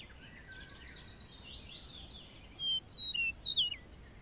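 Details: Larks in meadows and grasslands, a faint rapid twittering warble running through the first half, followed by several loud, clear whistled notes sliding downward near the end, over a soft steady background hiss.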